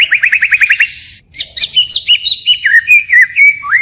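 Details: White-rumped shama singing in the forest-voice style, switching phrases continuously: a fast run of about eight rising whistled notes, a brief pause, then varied slurred whistles that step gradually downward, with a final rising note.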